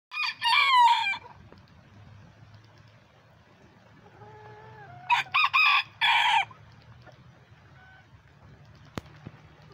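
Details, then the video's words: Lavender Old English Game, mille fleur and silver duckwing bantam chickens out in the rain during Tropical Storm Beta, hunting worms: a short harsh crow, soft whining notes, then a loud broken crow, with rain patter behind. "Bantam Chickens Play In The Rain"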